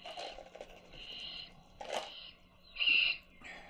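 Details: Owlets fed by their mother make breathy, hissy begging calls in irregular bursts. One louder, sharper rasp stands out near the end, with some brief broadband rustling in between.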